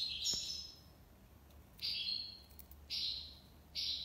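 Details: European goldfinch, tiwawati song style: four separate bright, buzzy trilled notes spaced about a second apart, the first fuller and more twittering, heard against a soft constant background hiss.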